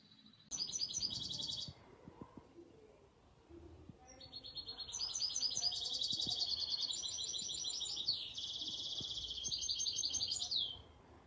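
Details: Misto hybrid canary singing for young birds to learn from, with long rapid trills of high repeated notes and brief pauses, set against a soft steady background noise.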